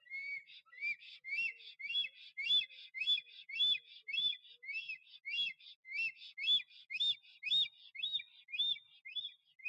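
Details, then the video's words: Male black stork at its nest in the Notecka Forest on 12 April 2023, courting a female that never arrived, flying to the nest three times, singing and dancing; rapid series of whistled, rising, chirping notes repeated about twice a second, steady and even. "Bocian czarny Puszcza Notecka - Starania o samice"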